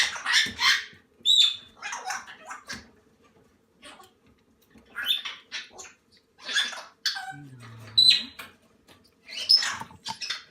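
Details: Salmon-crested cockatoo chicks, from hatching to one month, at feeding time; loud harsh screeches and rasping squawks in clustered bursts with pauses, plus a woman's quiet Russian voice coaxing them.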